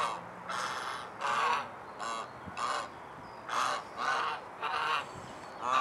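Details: Domestic swan goose, Anser cygnoides domestica, in Alkmaar, Holland, giving a series of short harsh nasal honks, about eight in under six seconds, irregularly spaced, some closely paired.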